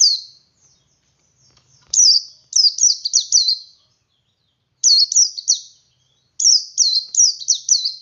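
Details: Male white-eye singing in the ngalas style to prompt other white-eyes to join in: bursts of high, bright, down-slurred chirps in quick runs of two to four, separated by short silences.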